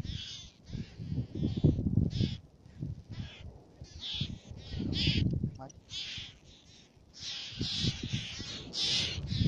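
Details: Several black-naped terns calling at Fares, Baa Atoll, Maldives: rapid, raspy, chattering calls that overlap, with gusty wind rumbling throughout.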